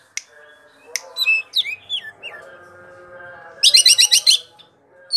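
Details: Greater green leafbird from Indonesia, a favourite among songbird keepers, in its long rolling ngerol song: scattered whistled slurs over a steady low hum, then a burst of rapid, high, repeated chattering notes.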